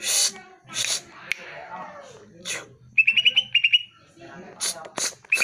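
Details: Greater green leafbird song, used as a lure to make caged birds answer and sing: harsh broadband chattering bursts, then a quick run of bright, rippling whistled notes in the middle, ending with more scratchy bursts.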